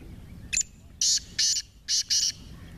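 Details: Partridge with a 28-note call; five loud, harsh, high-pitched calls in quick succession over about two seconds, with low background rumble.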